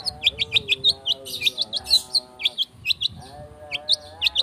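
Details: Long-tailed shrike singing fast on a lure to provoke singing: a dense run of bright, high chipping notes, several per second, over sustained lower wavering tones that pause and resume.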